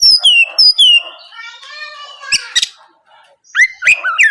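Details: Oriental magpie-robin singing loudly in the morning, used as a lure to make rival birds answer: clear falling whistles near the start, a drawn-out buzzy harmonic note, then sharp rasping bursts and twisting whistled phrases.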